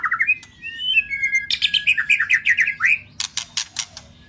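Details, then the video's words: White-rumped shama singing, a track for firing up weak or young shamas: gliding whistled notes rising and falling, then a fast run of slurred notes and a burst of sharp, harsh clicking 'tạch' calls at the end. "Chòe lửa hót.chòe tạch GẮT.dùng Kích Chòe Lửa yếu lửa,kích bổi nhanh lên lửa,chòe lửa đập đuôi"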